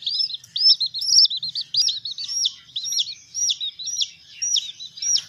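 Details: Peeping from baby chickens in care: quick runs of high twittering notes at first, then separate arched peeps roughly twice a second, over a quiet low hum.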